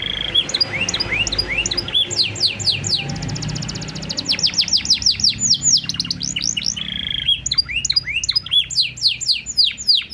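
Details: Canary singing a master song with 'cengkok' phrasing in the 'blak strut' style, meant to coax other birds into song. Long runs of quick rising swept notes enclose a fast rattling trill and a brief steady whistle, heard over faint low rumble.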